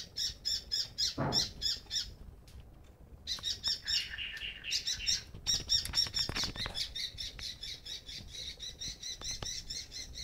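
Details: Young oriental magpie-robin begging its mother for food near a house: rows of quick raspy squawks, broken by a brief pause and a run of thinner chirps before the harsh calls resume, with a soft thump near the start.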